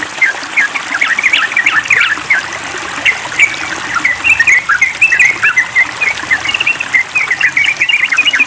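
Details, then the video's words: Yellow-vented bulbul singing noisily with a water sound played as therapy: busy, bubbly chattering notes, rising and falling, repeated without pause. "Tes Mental Trucukan Ribut"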